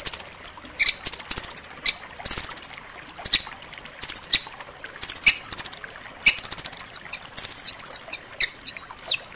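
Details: Rambatan loreng nuthatch in a master recording for pet birds, giving quick series of bright, piercing trilled notes in short bursts with brief pauses, some phrases starting with a downslurred note.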